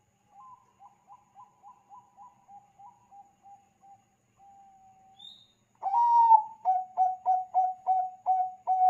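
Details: Bangkok-type zebra dove song meant to prompt other zebra doves into calling. A faint, distant series of short coos comes first, then a loud near song starts with a long coo and continues with rapid, evenly spaced short coos.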